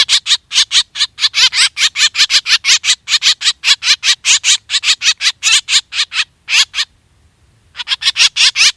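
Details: Hunting-lure recording of black drongo calls: rapid, scratchy, buzzing notes delivered about two or three per second for several seconds, a brief pause, then the rasping series resumes.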